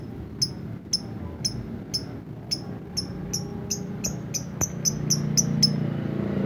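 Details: Lovebird in the ngetik (typing) style: high, sharp tick notes that start about half a second apart and gradually quicken into a tighter run, with low hum and a rising murmur beneath.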